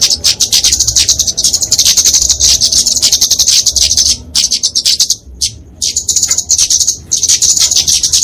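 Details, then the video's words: Kemade flowerpecker fighting song for training and luring small birds: dense high trills and ticks, dropping briefly to a quieter gap midway before resuming. "Kicauan Kemade Tarung Untuk Masteran&Pikatan Burung Kecil"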